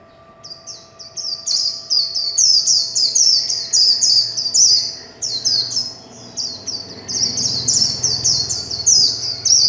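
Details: Caged warbling white-eye singing the chattering líu chòe style: rapid high twittering phrases of short descending slurred notes, run together almost continuously for ten seconds, with a faint steady electrical hum beneath.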